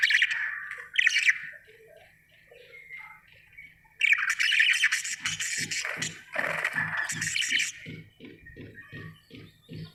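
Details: Happy budgerigar chirping, with buzzy warbling chatter and squeaky notes, then a string of regular low tapping pulses in the second half.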